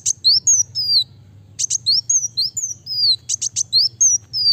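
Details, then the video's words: Rapid, tightly packed song of a Van Hasselt's sunbird, meant for coaxing birds into song and for song training: bursts of sharp chips followed by strings of high, thin, falling whistles, separated by brief pauses, with a soft low hum. "Kolibri wulung(kowul) gacor speed rapat cocok untuk pancing bunyi dan masteran"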